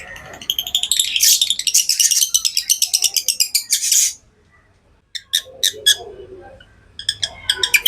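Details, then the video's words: Pet lovebirds chattering: a dense, fast run of shrill, high chirps for four seconds, a brief pause, then scattered sharp squeaky notes resume. "Love birds Sounds | lovebirds chirping sounds"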